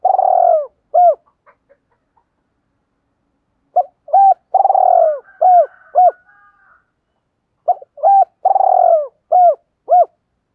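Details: Spotted dove decoy calling in a rapid luring style; three separate phrases, each a drawn-out low coo bracketed by brief clipped notes, with silent gaps of a few seconds between phrases.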